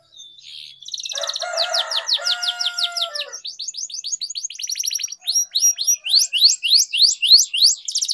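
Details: Canary singing for training purposes: a soft opening note, a rolling trill with lower harmonic tones, then rising and falling notes that grow louder and more regular toward the end.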